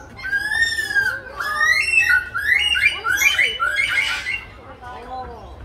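A lyrebird pours out a rapid medley of mimicked calls: sweeping whistles, harsh squawks and chattering phrases, changing every second or so, over a low background rumble.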